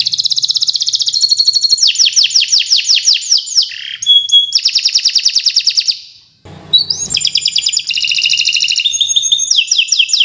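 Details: Vigorous long-running canary song ('gacor'), a master recording for tutoring birds that have stopped singing. High rattling trills, bursts of descending slurs, one pure steady tone, a silent gap near six seconds, then rising chirps and rolls.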